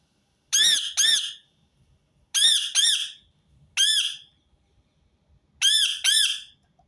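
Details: Rose-ringed parakeet repeating loud, arched, raspy screeches, mostly in doubled pairs spaced a couple of seconds apart, with a single screech between them, against a quiet background.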